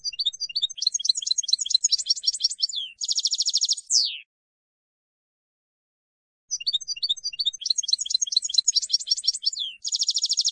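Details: European goldfinch field-style song for training young decoy and contest birds: rapid twittering phrases of high, varied chirps, each ending in a fast buzzy trill and a downslurred note, two bursts separated by a few seconds of silence.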